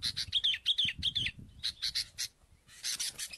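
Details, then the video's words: Sooty-headed bulbul during bird luring: a fast series of clipped chirps and short twisting notes, roughly three per second, mixed with dull knocks and scraping. "pikat BURUNG KUTILANG"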